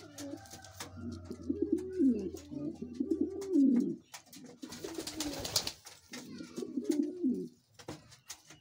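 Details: A king pigeon coos in a small room, long bubbling low-pitched phrases that waver and swell, a brief break of rustling and flapping noise in the middle, then another rolling coo; a faint hum underneath.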